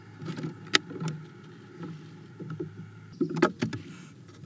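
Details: Irregular knocks, clicks and rustling over a low steady hum, with a sharp tap near the start and a cluster of thuds later, and no animal calls.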